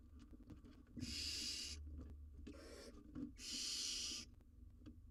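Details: A wild barn owlet on a live camera, wrestling with a large jird as prey. Two loud, breathy screeches, with a quieter hiss and some rustling between them.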